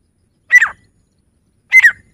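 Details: Male grey francolin calling, two loud, shrill, two-part notes around one second apart, each a sharp high whistle falling into a harsher slurred ending, with silence between them.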